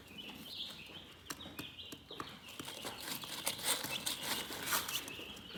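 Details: Relaxed chicken chirping: soft, high peeps flow steadily, mixed with irregular pecking-like clicks and a patch of brighter rustling in the second half.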